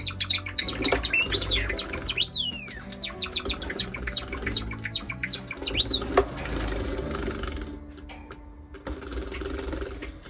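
A Java sparrow gives a rapid run of sharp, high chips with a few slurred, dipping whistles for about six seconds, over a steady low indoor hum.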